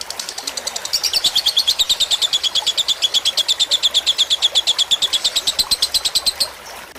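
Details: Fighter-type lovebird tutor recording, made so that other lovebirds learn the song, with trickling water added to relax the birds. It is a long, rapid, steady chatter of high buzzy chirps over constant water noise.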